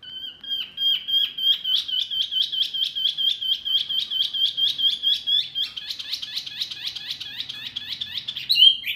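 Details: Mini wambi bird, noisy enough to stir up other birds, repeats quick, clipped high notes in an even, rapid rhythm that speeds into a denser chatter near the end.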